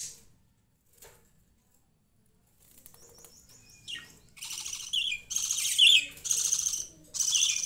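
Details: Baby budgerigars kept with pet rabbits start with faint ticks and a thin trilled note, then break into four loud, harsh chirping bursts in quick succession.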